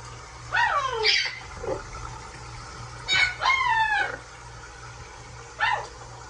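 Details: Huge blue parrot in a sink bath, uttering loud descending harmonic squawks, a pair early, another double call midway and a short final one, indoors with a low room hum.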